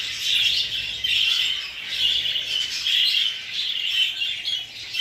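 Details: English budgerigars of exhibition and hogoromo show types giving wavering chattering phrases that swell and fade roughly once a second, with occasional squawks.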